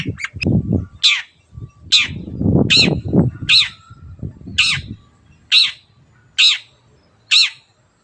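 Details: Shrike (cendet) in full voice, kept to spur silent birds into singing: harsh, rasping notes with a high squeaky top, repeated roughly once a second, eight in a row, over low rustling and thumping at the start.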